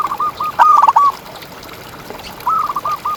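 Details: Local zebra dove, a contest songbird whose recording serves as a tutor for other doves, gives soft short coos and then a rapid trilled phrase, a quiet pause, and another coo series near the end.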